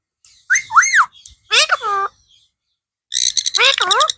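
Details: Blue parrot giving speech-like calls. Arched warbling syllables are followed by a buzzy harmonic phrase, then, after a pause, a ringing pulsed sound with a falling wavering note.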